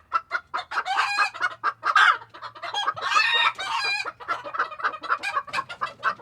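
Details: Many chickens in a Tokyo coop on a February 2022 day, lively chatter as they step out: dense overlapping clucks and loud drawn-out cackling squawks around the middle, a low hum underneath, then quicker clucks at the end.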